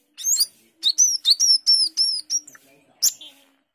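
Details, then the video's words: Asian glossy starling in 'gacor teler' song, a bird able to mimic many species: a series of piercing high whistles that rise then fall, repeated several times, closing with a sharp buzzy note. "Cucak keling gacor teler"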